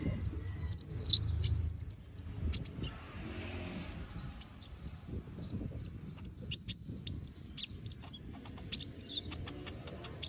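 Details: Brown-throated sunbird in constant chattering song for tutoring other birds: dense streams of very high, thin chips and twitters, repeated rapidly throughout over a faint low rumble.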